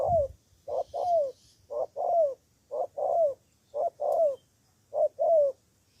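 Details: Cooing of a spotted dove kept as a decoy bird in Cà Mau, Vietnam: a steady series of paired notes, a short coo then a longer downslurred one, repeated about once a second with a low thump at the start.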